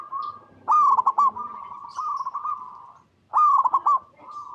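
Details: Lure song of a local zebra dove for calling in other zebra doves and getting them to sing; loud, staccato rattled notes merge into sustained wavering coos, and the phrase repeats after a brief silence.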